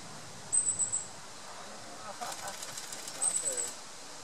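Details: Long-tailed tit nestlings: two short bursts of very high, thin, fine trilling notes, each lasting about half a second, separated by a quiet gap, over faint rustling and soft low background noise.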